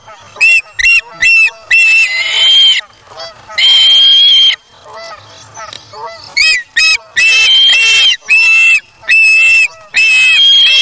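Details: Osprey nestling, August 3, 2017, feeding itself on fish taken from a parent; quick sequences of short, sharp whistled chips broken by longer piercing squeals, loud and insistent throughout.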